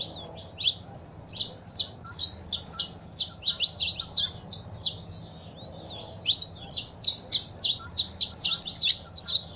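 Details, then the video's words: Male saffron finch singing with female calls, used to encourage a pet bird to sing: two long runs of fast, dense high chirping separated by a short pause, low hum in background. "Foguea seu Canário da Terra com Esse Piado de Fêmea e o Macho Cantando"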